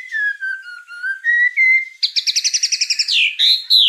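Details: White-rumped shama singing in a training recording for juvenile 'trotol' shamas: slow, mellow whistled notes, then a rapid even trill of about a dozen bright notes ending in a downward slur.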